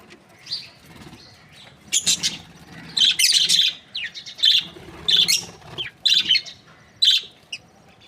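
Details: Breeding pairs of budgerigars, the Australian parrot, chattering in short harsh chirps and squeaky notes repeated roughly once a second in irregular clusters, high-pitched and bright.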